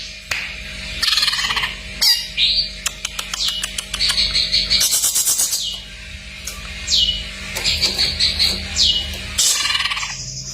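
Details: Greater green leafbird song used as a training recording, heard as bright whistled phrases and sharp chirps at high pitch, with rapid rattling trills and pauses between bursts, over a steady low electrical hum.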